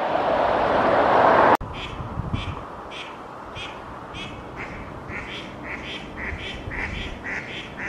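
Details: Female mallards, part of two pairs at Oksywie, quacking on 2 April 2021; after a loud rushing burst in the first seconds, a steady series of short nasal quacks repeats roughly three times a second.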